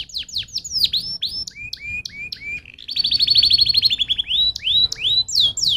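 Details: Canary song used to stimulate other canaries to sing: varied bright whistled notes, downslurred sweeps and chirps, then a fast rolling trill of rapid repeated notes, followed by more rising and falling whistles.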